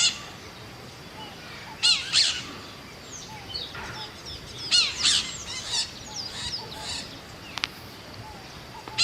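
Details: Scaly-headed parrot making sparse, scattered harsh squawks in pairs and short clusters, with quiet gaps between them and one sharp click near the end.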